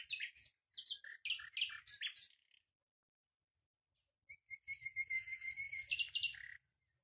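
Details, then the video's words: Common nightingale in full song: a string of varied, hard chirps for two seconds, silence, then a long level whistle swelling into a loud buzzy, rattling phrase. "بلبل هزار دستان آواز"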